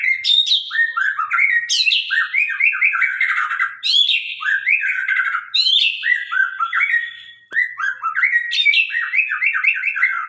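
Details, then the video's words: White-rumped shama of the Sabang line delivering a long, loud, sharp song: repeated phrases of high harsh chips followed by cascades of looping, slurred whistles, returning every two seconds or so. "murai batu gacor murai sabang suara tajam"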